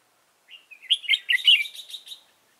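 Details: Red-whiskered bulbul kept as a decoy bird for trapping, November 2017: one quick, rich warbled phrase of about two seconds, rising into a run of rapid bright notes that fade at the end.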